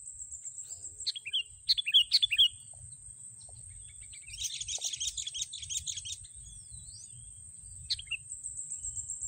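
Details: Sooty-headed bulbul being lured into a racik trap; a few loud downslurred chirps early, then a dense burst of chattering notes mid-clip and a final single chirp, against a persistent high-pitched hum.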